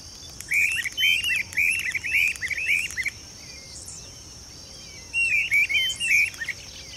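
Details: Streamer-tailed tyrant pair calling in display in a marsh at a fish farm in Goiânia, Goiás, Brazil, on 26 December 2017. A rapid run of six squeaky, slurred notes comes first, then a shorter run of three after a pause, over a steady high insect whine.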